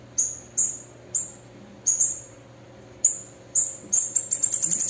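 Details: Calling and singing female bananaquit: high piercing chips at irregular intervals, then a rapid, very high twittering trill to close.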